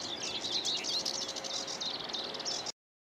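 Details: Whitethroat at Saltersford Locks, 8/5/2013, giving a dense scratchy, rapid warble of high chattering notes lasting under three seconds before cutting off abruptly, with constant background noise.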